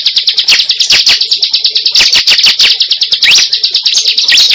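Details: Cible bird lure sound: a steady run of short, high chips, roughly one per beat in a rapid even series, with a few sweeping whistled notes mixed in.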